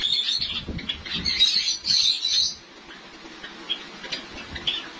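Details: White Java sparrows kept by breeders in Lahore, breeding season approaching; quick high chirps tumble together for about two seconds, then fade to scattered softer tweets amid low rumbling noise.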